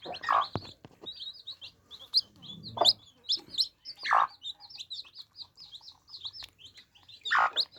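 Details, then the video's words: Baby chicks drinking water, peeping rapidly in high, slurred cheeps while several loud taps and knocks sound at intervals. "Adorable Baby Chicks Quenching Thirst Chicks Sound Effects For Kids"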